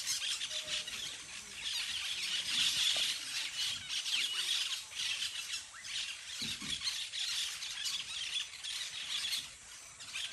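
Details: A flock of parakeets playing in the trees keeps up a dense, continuous chatter of harsh, high squawks and shrill squeals, many birds calling over one another.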